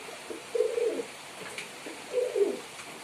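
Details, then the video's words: Male pigeon performing indoors, two low throaty rolling coos about one and a half seconds apart, each a soft warbling phrase, with faint room hiss behind. "Pigeon Sound Effect || Male Pigeon Super Performance || Pigeon Sound"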